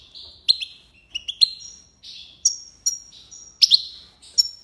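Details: Algerian European goldfinch in tiwawati song, alternating liquid chirps with thin, higher whistled notes and sharp clicks spread over a few seconds.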